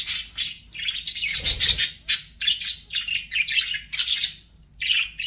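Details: Budgerigars giving dense, continuous warbling chatter, a run of rapid raspy chirps and squeaky notes packed closely together, with a short low thump near the middle and a steady faint hum in the background.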